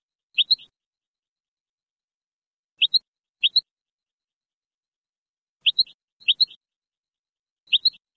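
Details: European goldfinch, Moroccan Sebtaoui singing style, taken from an old cassette and cleaned: bright twin chirps with faint buzzy tails, delivered in scattered pairs separated by pauses of up to three seconds.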